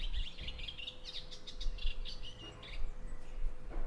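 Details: Eastern olivaceous warbler heard in a garden in the Bassa Modenese, Italy, in May 2023, where it is rare: rapid, harsh chattering phrases of jumbled notes with short pauses, against steady low-pitched rumble.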